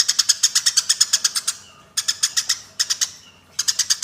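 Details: Eurasian tree sparrows in combat, recorded to train other songbirds: a rapid, even string of harsh, squawky chirps for about a second and a half, then two shorter bursts after brief pauses.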